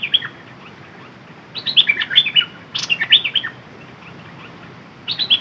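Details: A red-whiskered bulbul used as a decoy, singing in the dok taeng style: clear, bubbly whistled phrases in short bursts, separated by pauses of about a second, with faint background hiss.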